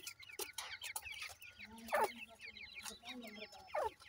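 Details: Francolin chicks kept and fed by hand make rapid, thin, descending peeps, with several calling at once and a few louder bursts standing out.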